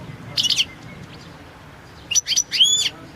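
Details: European goldfinch of the subspecies Carduelis carduelis balcanica, entered in the 2022 World Championship in Goldfinch Song competition: two short bursts of high, bright twittering notes, the second with clear ringing whistled tones, separated by quiet hiss.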